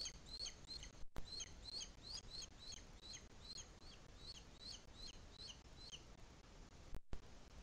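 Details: Booted eagle nest site, Sierra de Guadarrama National Park, Madrid, Spain, in the 2021 breeding season while the chick is still being fed. A quick run of high, falling whistled notes is broken by brief dropouts near the start and end.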